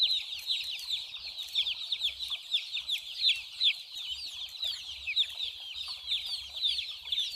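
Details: White baby chicks playing and drinking water fill the air with high, piping chirps in overlapping succession, joined by low rumbling thuds in the background.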